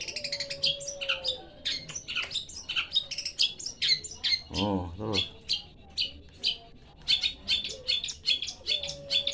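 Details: Asian pied starling singing: a busy stream of rapid, squeaky chirps and whistled notes repeated over and over, broken by a short harsh, buzzy grating burst midway, with a faint steady whistle in the background.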